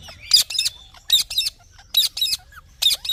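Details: Green parrot calling in grating double squawks, the pairs coming roughly once a second, with a faint whistled note between them.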